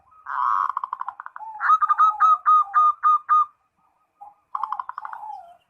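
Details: Perkutut (zebra dove) calling a rival: a rapid buzzy trill, then a clear series of about eight staccato ringing coos, a pause, and another softer trill falling away.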